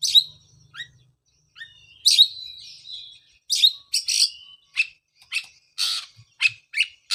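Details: Oriental magpie-robin song used as a lure to prompt a bird that stopped singing after moulting: loud, harsh chattering bursts alternate with short whistled notes at irregular intervals, with a faint low hum at the start.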